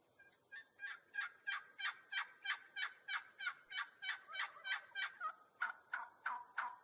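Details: Turkey giving an evenly spaced run of about nineteen short, harsh, clucking notes, roughly three per second, over a quiet background.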